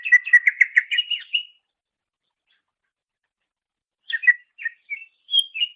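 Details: Master recording of greater green leafbird song for training songbirds, beginning with a fast burst of rippling chirps for a second and a half, then silence, then scattered whistled and twittering phrases.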